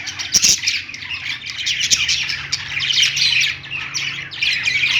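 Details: Perched budgies in a pet store give a steady stream of high warbles and chirps, with a loud squeaky burst at the start and a constant low hum behind.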